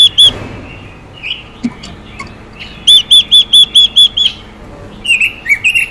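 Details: Hissing female Chinese hwamei stirring males: scattered clicks and short slurred notes, then a steady string of seven loud whistles, ending in lower buzzy, wavering notes.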